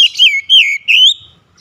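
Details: Oriental magpie-robin (kacer) song used to restore a bird that has stopped singing: three loud, slurred whistled phrases, each sweeping down then rising, with short pauses between, and a faint high note at the end.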